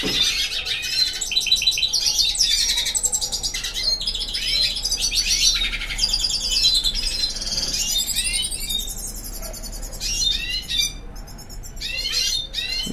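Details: A male hooded siskin (Spinus magellanicus), just brought to a female to mate, sings a fast, unbroken twittering courtship song of high, buzzy trills, chirps and sharp rising notes.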